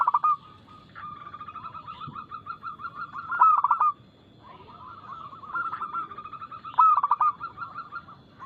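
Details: Local zebra dove, or perkutut, with a loud, fast, crystal-clear song used as a lure to prompt other birds to sing. Loud staccato coo bursts come about every three seconds, joined by softer rolling coos and a steady faint background tone.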